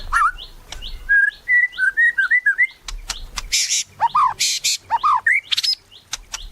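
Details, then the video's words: Steadily singing white-rumped shama, meant to coax other shamas into song: soft rising upslurs, then a string of mellow whistled notes, followed by loud harsh bursts and descending sweeping whistles. "Murai Batu Gacor | AMPUH buat PANCINGAN Murai Batu Agar Bunyi"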